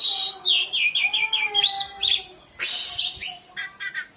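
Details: Oriental magpie-robin lure song, played to prompt lazy birds to sing: rapid sweet whistled notes and slurred high phrases in quick runs, broken by harsh buzzy bursts, then a short pause and more chattering whistles.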